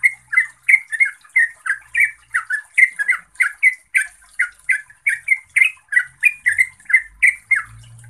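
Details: Yellow-vented bulbul delivering a long, steady chatter. Gurgling, slurred notes come about three per second for several seconds, with a faint low hum near the end.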